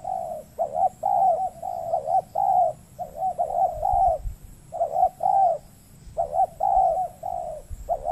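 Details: A wild spotted dove, described as a persistent cooer, answers a decoy dove at a trapping site on peat soil in the Riau Islands, Indonesia. Low, mellow coos run in clustered groups of two to four notes, broken by brief silences.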